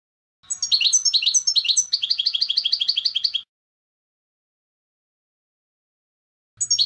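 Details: Goldfinch singing in the clean contest style, recorded to teach young goldfinches: a long, dense stream of high, tinkling twitters, first varied then settling into quick regular repeated chirps, with a faint low hum beneath; another phrase begins at the end.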